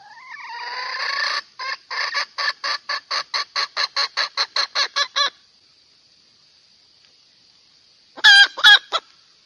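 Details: Cackling hen from Phayao, Thailand, calling for a male. A drawn-out rising squawk opens into a steady series of rasping clucks for about four seconds. After a pause, two more sharp, loud notes follow over faint hiss.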